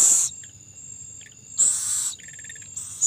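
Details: An owl feeding its young gives a brief hoarse hiss, a longer breathy one, then a rapid ticking, stuttered run and another hiss start, over a high, steady insect buzz.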